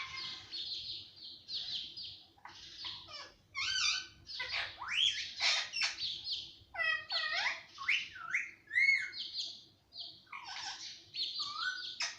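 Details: Talking pet parrot, said to say everything including papa, mummy and mittu, chatters in a long string of rasping syllables broken by bright whistled sweeps and short pauses.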